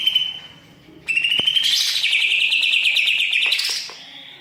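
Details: Greater green leafbird (cucak ijo) in full mimicry-filled song: a single held high whistle, then a loud, rapid, buzzy rattling run lasting nearly three seconds before it fades.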